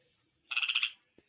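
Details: Talking common hill myna kept for sale gives a short, harsh, grating call of about seven rapid buzzy pulses, followed by a faint click.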